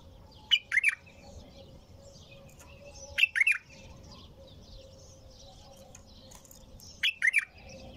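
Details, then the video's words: A bulbul sings nonstop: three short, loud warbled double phrases at about 0.5, 3 and 7 seconds, each a quick rising-falling flourish, with faint high twittering of other birds and a low steady hum between. "تغريد بلبل طور بدون توقف"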